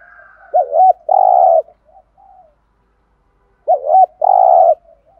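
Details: Decoy spotted dove calling to rouse other doves: two identical phrases about three seconds apart, each a short wavering double note followed by a long, even, low coo.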